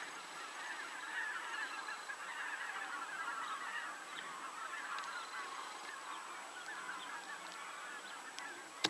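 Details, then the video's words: A large flock of common cranes at 52.196522, 19.804122 gives a steady, overlapping clamour of loud, rolling bugling and honking calls, unbroken for the whole stretch. "Common Crane / Żuraw"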